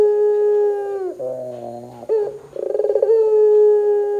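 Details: Barbary dove calling 'gacor', used to trigger calling in other doves: a long, flat low coo breaks into a buzzy lower segment, followed by a rapid pulsed roll that smooths into another sustained coo.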